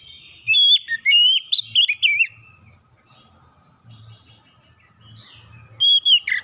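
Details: Oriental magpie-robin song meant to lure birds into singing: a rapid string of shrill whistled notes with sharp upward and downward slides, then a pause with a soft low hum, then a fresh burst of whistles near the end.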